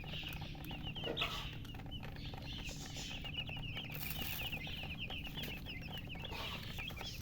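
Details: Baby chickens thirsty for water, making a steady stream of high, short, downward-slurred peeps repeated rapidly throughout, over a constant low hum and rustling background noise.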